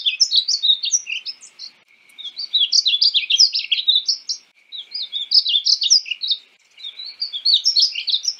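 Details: A painted bunting (Passerina ciris) delivers a sequence of sweet, hurried warbled phrases, high and tinkling, with short gaps between bursts.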